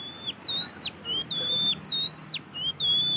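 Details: Loud, energetic song of an Oriental magpie-robin: clear, high whistled phrases, each holding a level note before dropping sharply, repeated about every half second with brief pauses.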